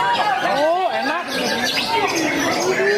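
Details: White-rumped shama singing clear whistled phrases that slide up and down in smooth loops, joined by other whistles and a background of voices and chatter.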